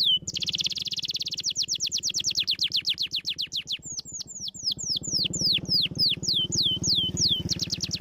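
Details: Canary song used to stimulate lazy canaries to sing: fast trill of rapid notes, then a slower series of clear descending whistled slurs, ending in another quick trill; faint low hum underneath.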